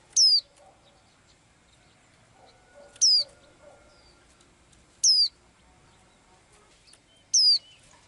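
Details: Blue-eyed little bird, a daily singer, repeating a loud, high, downslurred whistle four times at about two-to-three-second intervals, with quiet chirps between.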